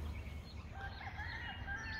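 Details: A rooster kept by neighbours a couple of streets from a garden, on 24 March in spring, gives a drawn-out, hoarse crow; he crows all day long. The crow swells then trails off, faint and distant under steady low wind and outdoor noise.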